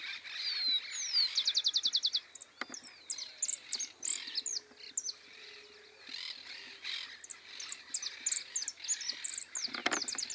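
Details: A rufous-collared sparrow singing as a caller bird in the hill country of Entre Ríos, Argentina: slurred high whistles leading into a quick, dry trill, set among a busy chorus of other high chirping birds.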